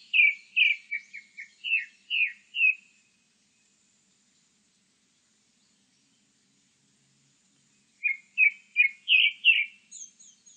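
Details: Grey-backed thrush singing in a 2020 recording: a phrase of clear, loud whistled notes, several rising and falling quickly, then a silent gap of about five seconds and a second similar whistled phrase ending in high thin notes.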